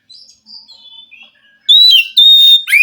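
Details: Oriental magpie-robin from the forest wild, sung to stimulate a silent captive bird: soft, thin descending whistles first, then loud, clear, drawn-out whistled notes.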